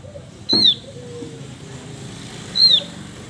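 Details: A male Javan grey-throated white-eye, singing actively, gives a high falling whistle, then a softer second one two seconds later, amid low background hiss.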